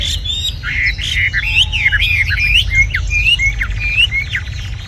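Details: Red-whiskered bulbul, a caged bird said to sing very well, producing bright whistled notes that swoop up and down in short, loud phrases, with a faint low hum behind.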